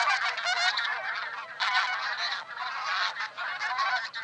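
Taiga bean geese give a steady chorus of nasal, overlapping honks, several birds calling at once with no pause throughout.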